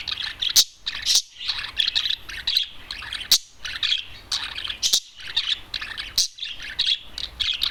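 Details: One adult male budgerigar, free of its cage and staying on a TV for a long time, warbles in rapid high chattering phrases punctuated by sharp clicks and short pauses roughly every second.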